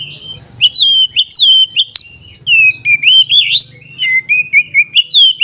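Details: Oriental magpie-robin in full, clear fighting song used to stir other magpie-robins to anger. A continuous run of bright whistled phrases rises and falls, with short upward slurs and brief gaps, over a soft low background hum.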